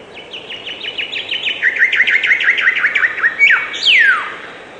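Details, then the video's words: Bird chirping: a rapid series of short downslurred notes repeated about three per second, stepping slightly lower, then a buzzy note and a long loud descending sweep at the end. "Beautiful and relaxing bird chirping sound"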